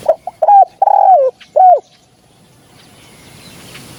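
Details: Spotted dove used as a hunting lure call: a quick run of four or five mellow coos over under two seconds. Short clipped notes lead into a longer drawn-out coo and a final rounded note, then quiet background.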